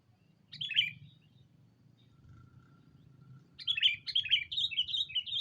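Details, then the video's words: Decoy sooty-headed bulbul calling a rival bird: one brief chirpy phrase, a pause, then a fast run of bright warbled notes over a low background rumble. "Suara burung Pikat kutilang memanggil lawan"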